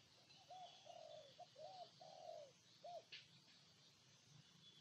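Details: Spotted dove from Ninh Thuận, Vietnam, cooing: a short series of soft, low, hollow coos, several brief notes and a longer drawn-out one, over a steady hiss of background noise.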